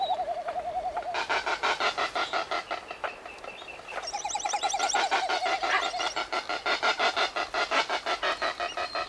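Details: Red-footed booby giving coarse, rapid croaking calls, sometimes loud, in fast rattling bursts of about three per second, with a wavering warbled note at the start.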